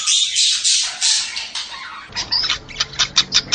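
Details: Budgerigar sounds meant to encourage mating: several loud rasping squawks, then a quick run of short sharp chirps repeated about three times a second.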